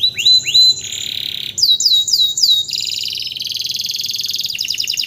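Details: Post-moult caged canary kept as a song tutor, singing loudly: sharp downward-swept whistles in pairs, a sustained harsh buzzy note, repeated swooping whistles, then long rapid high trills and rattling rolls.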